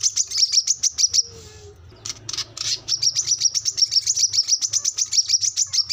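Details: Brown-throated sunbird singing 'gacor ngobra' for training captive birds: fast rows of high, sharp chips, interrupted by a brief hissy, noisy patch, then continuing in a steady rapid rhythm; low hum underneath.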